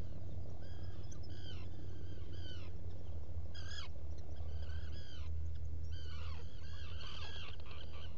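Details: Recorded by a burrow camera at a Black guillemot nest crevice on Seal Island NWR, Maine, early morning, 07-05-2018: a dense run of bright, downward-slurred harmonic calls, several overlapping near the end, with a constant low electrical hum beneath.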